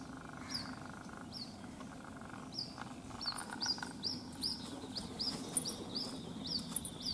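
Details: White-breasted waterhen chick in Rajasthan, India, calling non-stop after its mother flew off; shrill high peeps that quicken and grow louder toward the end, over low steady background noise.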